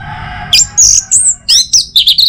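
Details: Orange-headed thrush singing in the morning to stimulate other birds. A few loud, strident whistled phrases sweep high, separated by short gaps, over a steady faint hum.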